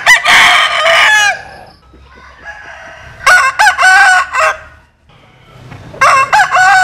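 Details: Cock crowing, Vietnamese and American Sil roosters: a harsh harmonic crow ending in a falling tail, then after a pause a stuttered multi-part crow, and another crow beginning near the end, with faint clucking between.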